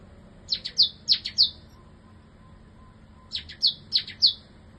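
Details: Caged bar-winged prinia; two bursts of four to five loud, sharp, high chirps given in quick succession, separated by a pause of about two seconds.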